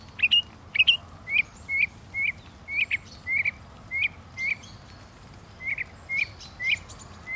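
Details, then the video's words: Northern mockingbird song: a long run of short, clipped chirped notes, each a quick up-and-down twist, delivered in a steady stream of about fifteen with one brief pause near the end. "The song of the Northern Mockingbird"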